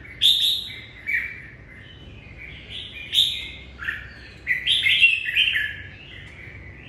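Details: A red-whiskered bulbul sings in the morning: short clear whistled phrases with sharp upward flicks, separated by brief pauses, ending in a rapid, lively warbled run.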